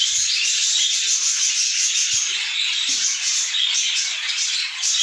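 Budgerigar chicks make a dense, continuous raspy chatter of high, hissing notes that blend into one steady wash of sound.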